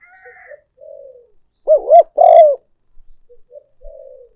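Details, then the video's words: Decoy spotted dove call for luring: a loud two-part coo, a bouncing double note then a longer, fuller coo. Soft muttering coos come before and after it. "cu gay moi chuan mp3"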